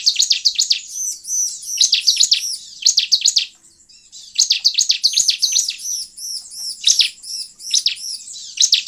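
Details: Bar-winged prinia song used to attract wild birds, a dense, high-pitched chatter of rapid sharp chirps and looping trilled notes in bursts, broken by a brief pause midway.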